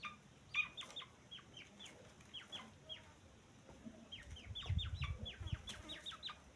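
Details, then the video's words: Teetar, or grey francolin, chicks giving thin falling peeps in scattered clusters. The calls thicken toward the end, where soft low thuds sound beneath them. "तीतर का बच्चा आवाज़"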